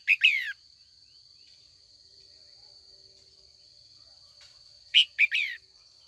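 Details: Afternoon training call of a female red-whiskered bulbul, aimed at provoking older wild-caught males into contest song: two phrases of three quick notes ending in a downward slur, separated by several quiet seconds under a high steady whine.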